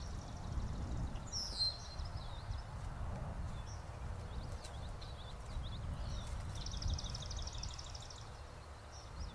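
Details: Faint common yellowthroat song: a brief high slurred note early on, then later a fast series of repeated high notes, all set against steady low-pitched background roar.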